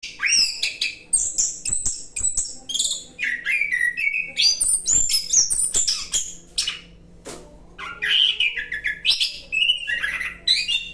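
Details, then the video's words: Orange-headed thrush singing a relaxed 'roll' style song in the wild: rapid, varied whistled and chattering phrases that jump between high and mid pitches, delivered in dense bursts with brief pauses and a faint low hum beneath. "anis kembang roll santai"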